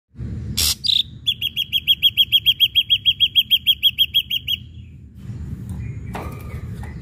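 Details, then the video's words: Ashy drongo song used as a lure to provoke other birds into singing: a harsh burst, then a fast train of about twenty clipped, ringing notes at an even pace, ending in quieter scratchy sounds with steady low background hum. "srigunting abu abu gacor PANCINGAN"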